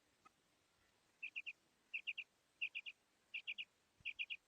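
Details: Female quail calling: clear, sharp three-note phrases, each a quick rapid triplet of bright notes, repeated five times at intervals of roughly three-quarters of a second over a quiet background.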